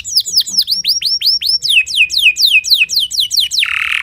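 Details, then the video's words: A canary, named as a Timbrado, in early-morning song practice: a rapid run of high, downward-sweeping whistled notes, about four per second, ending in a brief harsh rattle; finding: Belgian canary. "Canary Singing-Timbrado Thanh Yến Luyện Hót Sáng Sớm"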